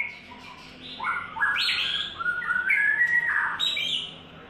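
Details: White-rumped shama after its third molt giving a loud burst of rising and falling whistles, with rapid slurred notes in the middle and a sharp high accent at the end.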